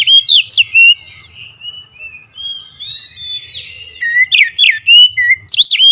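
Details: Oriental magpie-robin in agitated, fierce song: quick loud whistles open the phrase, a softer warbled stretch follows, then emphatic rising and falling whistled notes return.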